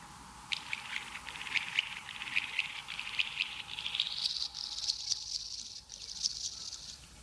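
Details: A Restless Flycatcher in South Australia's Mount Lofty Ranges gives its 'scissor-grinder' call, made while foraging: a rapid run of high, rasping, grinding notes rising slightly in pitch over several seconds.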